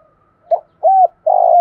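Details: Spotted dove, thổ pha style song for luring wild doves and training decoys: a short clipped note, an arched hollow coo, then a long steady rough coo, no other sounds.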